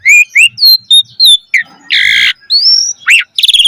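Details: Asian pied starling in full song, played as a training lure for caged starlings. Rising whistles repeat about twice per second, then a broad harsh screech, an upslurred whistle and a crackling buzz.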